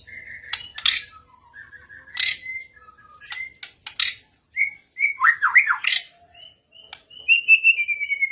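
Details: Shama answering another bird during playback of a lure recording: scattered whistled notes broken by sharp clicks, a quick cluster of slurred notes, then a run of repeated high whistles.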